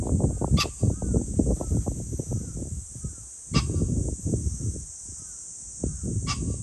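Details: Pheasant calling on 21 July 2024: three loud, clipped raspy bursts about three seconds apart, over heavy low wind buffeting, steady high hiss and faint looping whistles of other birds.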